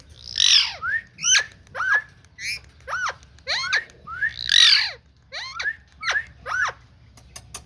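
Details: Ringneck parrot vocalising in a rapid series of high, bouncing notes that each rise and then drop, interrupted twice by broad raspy screeches. Room otherwise quiet.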